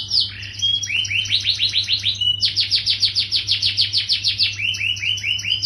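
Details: Lively yellow canary song with quick rising chirps strung into long even trills, a brief whistled note between runs, and a steady low hum behind.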